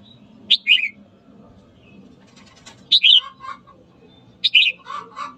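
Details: A red-whiskered bulbul sings in the morning to spur fighting: three sharp phrases, each a high note falling into a short twisted warble, followed by a couple of lower soft notes near the end.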